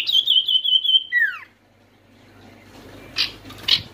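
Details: Oriental white-eye used as a lure for quiet birds: a steady high whistled trill lasting about a second drops into a falling slur, followed by two faint short chips.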